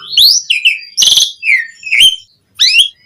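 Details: Short stretch of Javan pied starling singing as a lure for other starlings: a few separate phrases, rising whistled slurs, one dense harsh burst and a falling whistle, with brief gaps between.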